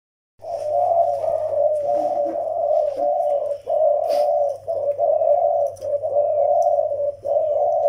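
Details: Zebra doves, a young Malay-type bird and an old Vietnamese decoy bird, caged indoors: long runs of low, rolling, vibrating coos, each about a second long, repeated almost without pause, over a steady low electrical hum.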